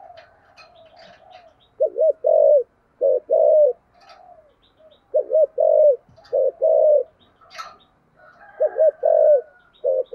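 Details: Spotted dove in the 'thổ sấm' (thunder) voice style, cooing hard ('thúc gù'): low mellow coos bunched in short phrases of two to four arched notes, repeated with pauses, faint chirps from other birds behind.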